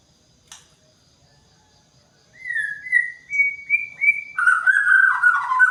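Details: White-rumped shama in morning dew, singing a series of four rising clear whistles followed by a loud, rich warbling phrase, after a brief click and near silence.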